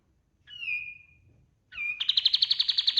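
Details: White-eye of the kapas tembak type in full loud song, used as a master for training other birds: a clear drawn-out whistle slightly falling in pitch, a pause, a short rising note, then a fast buzzy pulsed trill running to the end.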